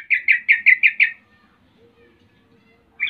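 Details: Sooty-headed bulbul song meant to taunt rival birds into replying, here a fast series of six loud, husky chirps in about one second, then quiet with a faint hum, and another note starting at the end.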